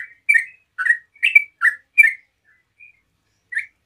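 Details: Yellow-vented bulbul in relaxed 'ropel' song meant to draw replies from other bulbuls: five quick gurgling chirps spaced about a third of a second apart, a pause with a faint soft note, then one final chirp.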